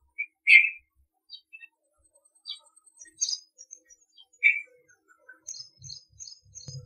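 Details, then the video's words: A Red-vented Bulbul in India gives two loud, bright chirps about four seconds apart, with scattered thin high notes from other small birds between them. "Red Vented Bulbul"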